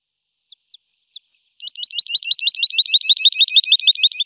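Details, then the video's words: Lark giving a few thin separate notes, then breaking into a steady, rapid, evenly repeated twittering trill that continues to the end; no other sounds. "Жаворонок lark"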